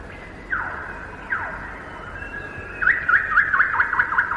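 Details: A common (white-rumped) shama, likely the male, sings from thick undergrowth in Malayan rainforest, recorded late 1950s–early 1960s: two rich whistles slurring downward, then a fast run of looping, warbled notes repeated several times each second.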